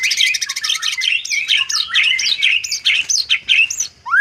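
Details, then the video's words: Dense, fast white-rumped shama song meant to prompt a reluctant bird to sing, packed with overlapping warbled whistles and chattering trills, ending on a rising note. "pikat burung murai batu malas bunyi dengan vidio murai batu isian"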